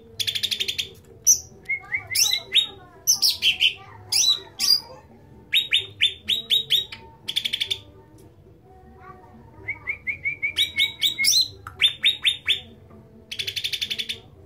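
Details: Loud, lively cucak ranting (bulbul) song: dense clusters of sharp, high whistled and chattering notes in rapid runs, a brief pause near the middle, then more repeated bright phrases over a faint low background hum.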